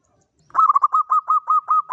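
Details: Local zebra dove singing as a lure in the Mataram rhythm style: after half a second of silence, a fast string of short, clipped mid-pitched coo notes repeats steadily, about five per second, with no other sounds.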